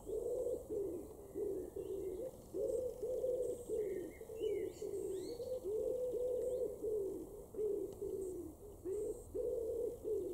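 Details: Common Wood Pigeon cooing in a garden in Weener, East Frisia, far northwest Germany, June 2022: deep, soft hooted coos in a steady rhythmic series of five-note phrases with brief pauses, faint small-bird chirps in the background.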